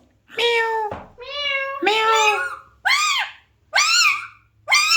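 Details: Alexandrine parakeet talking indoors: a run of harsh, harmonic, meow-like and word-like calls, each about half a second, separated by short pauses.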